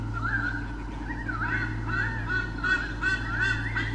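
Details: At Sydney Olympic Park, Australia, in 2013, a white-bellied sea eagle pair is filmed on a nest camera chasing off swooping currawongs from their territory. Their calls are a series of nasal honking notes, somewhat uneven in spacing, over a persistent low background hum.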